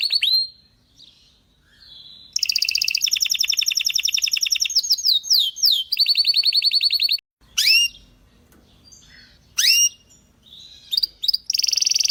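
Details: Belgian canary gives a sweeping chirp, then a burst of loud rapid trills and slurred whistled phrases for several seconds, followed by scattered sharp swooping chirps separated by quiet gaps.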